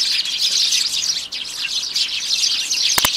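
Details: Dense high-pitched chirping of a sparrow flock at a bird table in January, with two sharp clicks near the end.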